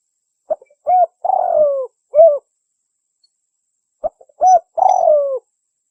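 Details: Spotted dove lure recording made for hunters attracting the bird: clean, mellow cooing in two matching phrases, each a short note, a rounded coo, a long drawn-out descending coo and a final coo, separated by a silent pause; no other sounds.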